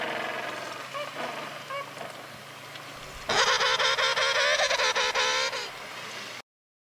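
A penguin gives a loud, harsh, braying call of rapid pulsed notes lasting about two seconds, preceded by a voice speaking the bird's name.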